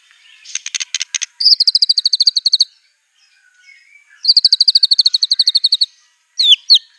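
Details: Singing white-rumped shama, fierce and loaded with copied songs of canary, cililin and cungkok; a buzzy rattle, then two long high trills of evenly repeated sharp notes about fourteen per second, ending in two piercing downslurred whistles.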